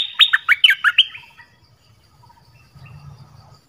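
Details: Nok dok taeng bird singing a song of the 'pleng berm' style, used to teach young birds to copy. A quick burst of about six loud, sweet whistled notes, falling and rising, lasting one second, followed by quiet with faint low rumble.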